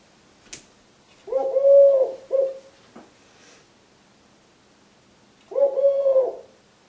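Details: Three-year-old male Eurasian collared dove wing-tapping and singing his "please lay eggs" song to his mate: low, soft cooing in two-part phrases, a longer coo then a short one, repeated after a pause, with a faint tap.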